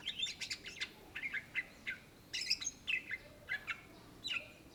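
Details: Greater green leafbird, known in Indonesia as cucak ijo, singing energetically: quick bursts of sharp whistled and chattering notes, about a dozen short phrases, some high and buzzy, others clear two-note whistles, with steady brief pauses between them.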